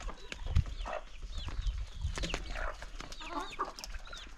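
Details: Morning feeding of a flock of chickens in the countryside; thin curved peeps and nasal clucks come in loose clusters, with pecking taps and low thumps beneath.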